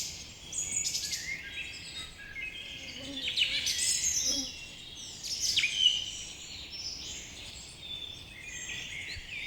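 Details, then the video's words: Morning chorus of chirping birds with rapid high twitters and a few sweeping whistles. The sound swells in bursts, and a faint lower tone appears briefly partway through. "Birds chirping sound effect"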